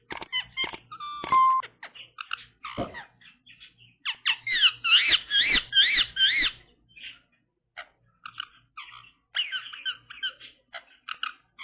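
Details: Pet Indian ringneck parrot. A few sharp clicks come first, then rapid runs of squeaky, wavering chatter notes with an irregular rhythm. A second livelier burst follows after a brief lull.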